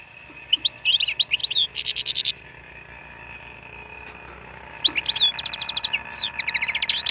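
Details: Wild European goldfinch song for stimulation: rapid twittering with buzzy rattled trills in two bursts separated by a quieter stretch, notes bright and high over a steady faint tone in the background.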